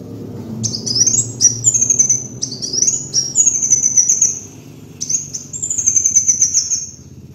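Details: Lure master of a kolibri wulung sunbird: repeated high, needle-thin trills, each opening with a rising sweep and fading into a level rapid shimmer, several phrases in succession over a low hum.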